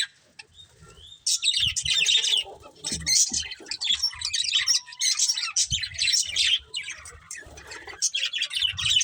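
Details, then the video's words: Budgerigars of a breeding pair start chirping after a short quiet moment, then keep up a busy run of scratchy high warbles broken by brief pauses. "Cute Colourful Budgies Chirping Sounds"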